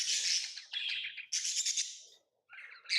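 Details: Tamed lovebirds chirp in shrill, grating bursts, three long noisy notes in quick succession, then a short silence and a lower rasping call at the end.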